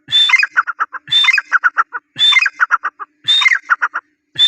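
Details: Iranian francolin giving loud repeated phrases: a sharp high whistle, then a fast run of five or six lower chattering notes, each phrase about a second long and following the last with little pause.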